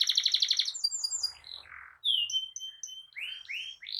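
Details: Canary tutor song for young birds and for canaries that stopped singing: fast rattling trill, then varied notes including a falling whistle, short clipped pips and rising swoops.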